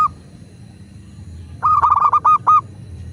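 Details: Zebra dove of a local Indonesian strain, recorded to prompt kept doves to sing: one quick stuttered burst of six or seven clipped notes, the last ones longer, after a quiet start with low hum.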